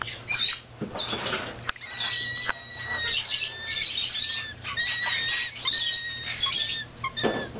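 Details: A 4-month-old female umbrella cockatoo at a pet store in Baton Rouge whines in drawn-out, high, nasal tones, some held steady and others wavering, broken by scratchy rustling bursts.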